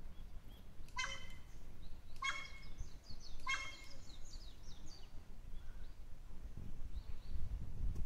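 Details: A wild crow that mastered the barking of a neighbourhood dog gives three harsh, dog-like barks about a second apart, seemingly unable to caw any more; thin, high twittering from small birds follows over a steady low rumble. Recorded 15 July 2016.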